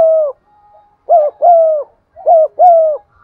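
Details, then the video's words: Spotted dove cooing steadily in a clear voice to stimulate wild doves: repeated phrases of a short hoot then a long, level, mellow hoot, roughly every second. "tiếng cu gáy gù và thúc giọng son anh em mở nên kích bổi thì rất hiêu quả"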